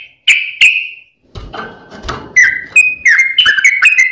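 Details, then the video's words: Sooty-headed bulbul with a fast, dense song without pauses that includes straw-headed bulbul variations, used as a master recording for training caged birds and luring wild ones. Clear whistled notes and slurred phrases follow a brief rustling, noisy stretch. "Kicau Trucuk T-rex Speed Rapat Tanpa jeda Losss variasi Cucak Rowo"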